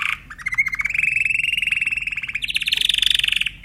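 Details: Timbrado canary song: a long, fast rolling trill held near one pitch for about three seconds, rising slightly toward the end, with a brief higher note at the close.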